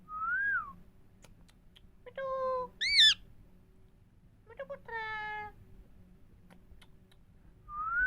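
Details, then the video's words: Indian parrots talking, kept as pets, in a quiet room: short harmonic speech-like syllables and a squeaky rising note, with arched whistles at the start and end, separated by pauses. "Indian parrots talking Mithu Miya Mithu parrots sounds"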